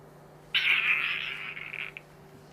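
A tawny frogmouth chick gives one harsh, raspy, mewing call lasting over a second, sliding slightly down in pitch and ending in a brief click, over a faint hum.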